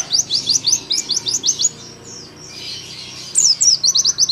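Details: Oriental white-eye, a young bird singing 'nembak' for tutoring other birds at home: fast strings of shrill, downward-sweeping notes, roughly three per second, broken by a brief hissy pause before resuming.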